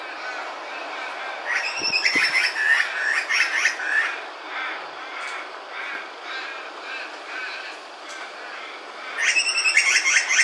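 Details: Grey butcherbird (Cracticus torquatus) at the top of a tree at Cape Woolamai, Phillip Island, just after a heavy downpour, repeating bursts of rich, ringing notes for about three seconds, pausing, then starting again, over hiss and soft thumps.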